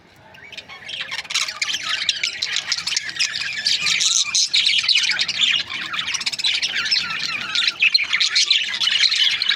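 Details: Budgerigar chatter from Australian parrot breeding pairs swells from quiet into a steady mass of quick, high twitters and scratchy chirps, many birds calling at once.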